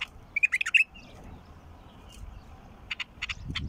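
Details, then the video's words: Mukhallaf bulbul song for starting a silent bulbul singing: a brief rich warble of rapid rising and falling notes, followed by several short sharp chirps, with faint low background rumble. "تغريد بلبل مخلف يفتح البلبل الساكت"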